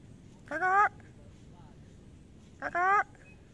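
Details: Male and female sulphur-crested cockatoos roaming free and playing in a residential housing complex in Indonesia: two loud, harsh, nasal calls with stacked tones, about two seconds apart, over low background murmur.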